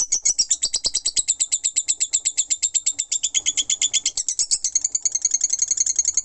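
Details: Lovebird singing in the ngekek style, a long non-stop chatter: rapid shrill, high notes repeated several times a second, slightly uneven, with the pitch stepping up near the end; faint low thumps underneath.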